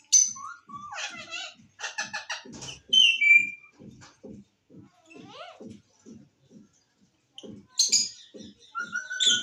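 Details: Green parrot talking and whistling: short chattered phrases, a clear descending whistle, a slow rising whistled slide, then bright high whistles, with regular soft low tapping throughout.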